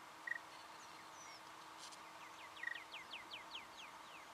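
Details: Singing honeyeater recorded in Victoria, Australia, in November 2011; a series of quick descending whistled notes repeated rapidly after a brief burst, with a few short high chirps from other birds and steady background hum.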